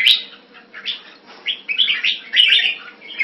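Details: Caged red-whiskered bulbul, or jambul, giving a few scattered bright whistled and warbled notes, louder toward the end, over a low background hum.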